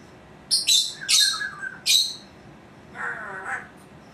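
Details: Female pet Congo African grey parrot vocalising; three harsh, high-pitched squawky bursts in quick succession, then after a pause a lower, rougher voice-like phrase, all over steady background hiss.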